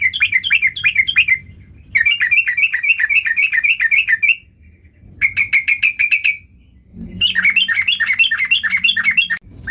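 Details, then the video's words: Energetic, varied song of a sooty-headed bulbul: bursts of quick chattering whistled notes rolling up and down, separated by short silences, with four song phrases in under ten seconds. "Burung Trucuk Gacor Full Fariasi"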